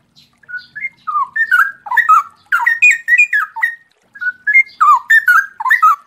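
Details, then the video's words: Straw-headed bulbul singing a clear song in the rapid 'ropel' style: rich, liquid, bubbling whistled phrases sliding up and down. Notes tumble quickly in two bursts separated by a short pause, with no other clear sounds. "suara jernih cucak rowo ropel bagus"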